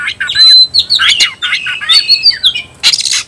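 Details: Fighting song of an oriental magpie-robin, meant to rouse other magpie-robins to sing and fight: dense, loud jumble of bright whistles, quick slurs and scratchy notes, ending in a harsh rasping burst.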